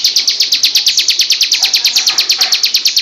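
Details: Female bar-winged prinia (ciblek sawah) kept as a tutor bird, singing loudly in the ngebrem style: a fast, steady run of high, sharp descending notes, many per second, with no other clear sounds.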